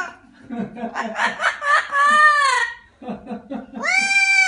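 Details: Parrot mimicking laughter: chuckling, rising and falling syllables that turn into a long wavering whistled tone, then a stuttered laughing burst and another drawn-out rising whistle.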